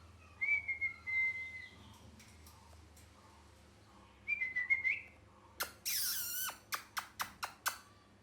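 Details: Molting pet parrot indoors: two soft whistled notes, then a loud drawn-out screech and a burst of short sharp calls, with a faint room hum throughout.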